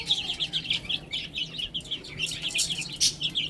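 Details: Baby chicks peeping continuously while feeding and drinking, bright high-pitched chirps coming several per second in a busy, overlapping chorus with scattered clicky pecking noises.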